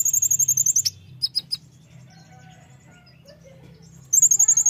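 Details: Oriental white-eye (Zosterops palpebrosus), song: very high, thin bursts of rapid chips, about a dozen in under a second, then a pause with a few faint notes and another quick burst.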